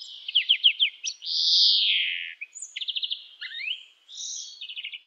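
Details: European greenfinch (Chloris chloris) gives quick twittering trills and a long, drawn-out nasal wheeze sliding downward, then more rapid chirping trills; no other sounds.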